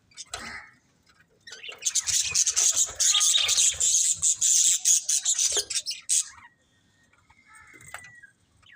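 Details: Budgerigar chatter: a sustained run of fast, buzzy, high-pitched squeaks and chirps for about four seconds, then scattered faint notes.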